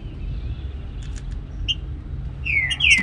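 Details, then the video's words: A green-winged saltator singing in the morning gives a brief, loud, rich whistled phrase near the end after a few faint notes, over a steady low rumble. "TRINCA FERRO BARUC CANTANDO PELA MANHA"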